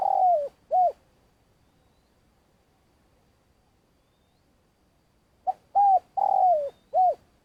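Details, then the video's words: Spotted dove lure bird in long calling: the end of one cooing phrase, about four seconds of silence, then a full phrase of a clipped note, arched coos and a long falling coo. "Cu gáy mồi cây - gáy gọi dài"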